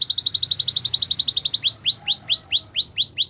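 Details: Canary singing a training song: a quick, tightly repeated high trill, then slower arched whistled notes, each rising and falling, repeated about three times a second.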